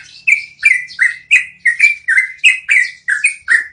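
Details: Yellow-vented bulbul, trucukan, in a long rolling song used as training audio for cage birds: bubbly, slurred phrases dropping around a steady pitch, about three per second, with sharp high notes above.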